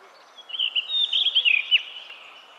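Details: Brief song phrase of a blue rock thrush (Monticola solitarius): a run of fluty, twisting whistled notes gaining in pace, closing with a quick dropping note, against low constant hiss.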